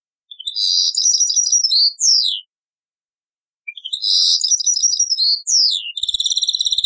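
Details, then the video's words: Taqsrain-style European goldfinch song from an old cassette recording: two long phrases of fast, liquid twittering with downward-sliding whistles, a silent gap between them, then a quick rattling trill at the end. "تغريد تقصراين من كاسيت قديم"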